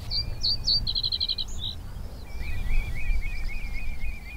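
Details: Reed bunting song at Higham Marshes RSPB reserve beside the Thames in north Kent in spring, sung from reeds: a few sharp high notes, then a quick run of repeated ticking notes, with another bird's thin twittering and low wind rumble.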